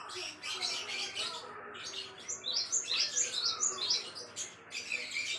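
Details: Java sparrow, the gelatik wingko, recorded as a tutor song for training other songbirds; rapid, high, twittering chirps run about four per second, with a few bright tinkling whistled notes in the middle and one drawn-out descending slur.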